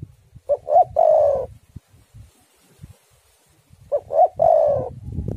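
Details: Spotted dove singing, played as a lure to get doves calling. Two phrases about three seconds apart: paired short coos rising in pitch, then a long rolling coo, with low rumbling noise growing at the end.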